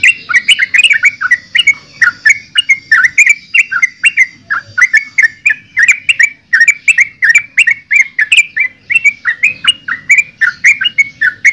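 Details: Continuous chattering song of a yellow-vented bulbul (trucukan): rich, gurgling notes tumbling out several per second without a break, bright and loud throughout.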